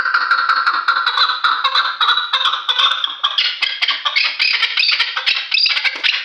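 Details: Loud rapid rally of a three-year-old Kulob hunting chukar: dense, evenly pulsed chuk-chuk notes with a ringing tone, kept up without a break for six seconds.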